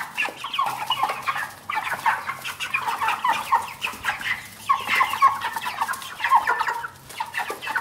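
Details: Clucking from domestic hens and pullets, steady bursts of short harsh clucks and squawky notes in clustered phrases with brief pauses between groups, several birds overlapping, with a faint low hum underneath.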